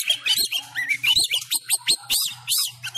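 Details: Sumatran Oriental magpie-robin singing fighting-style at home during the COVID-19 lockdown; quick series of rising whistles and sharp chip notes, roughly one pulse every half second, with a faint low hum underneath.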